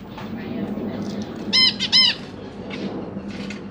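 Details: Caged zebra finches, two parents with three juveniles and three newly fledged young, recorded 25 January 2023 on a GoPro Hero 8 while the parents fed the babies; two loud nasal harmonic beeps close together over soft background chirping and hum.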